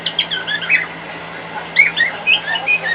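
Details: Pet cockatiel singing louder than normal indoors, responding to a hairdryer running in another room; bursts of warbling, chattering whistles in two groups separated by a brief pause, over a steady low electrical hum.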